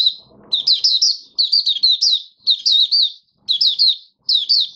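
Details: Caged oriental white-eye singing in the 'buka sing' style, fifth day after its monthly deworming, 20 January 2022: high, thin warbled phrases of quick up-and-down twitters in bursts about a second long, a brief soft rustle at the start.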